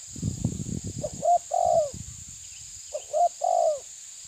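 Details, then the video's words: Spotted dove, called a tabir dove, pressing an opponent; low thumping rumbles open the recording, then two deep three-note coo phrases, each ending in a long falling note, over a steady high insect hum. "Terkukur menekan lawan bikin emosi ~TERKUKUR TABIR"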